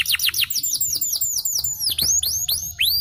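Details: Champion yellow canary in long song: quick descending whistled slurs, then widely spaced sweeping notes that dip and rise in an arching pattern, ringing and clear.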